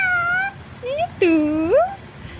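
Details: Indian pet parrot imitating speech, saying "mummy" and "Mithu": a held, reedy word, a short upward slur, then a loud drawn-out word that dips low before sweeping sharply upward, with quiet room noise behind.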